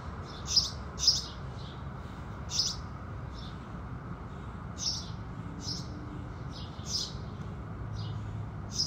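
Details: House sparrows chirping at sunrise: two loud, sharp chirps open, then scattered, softer high tweets spaced irregularly over a low hum.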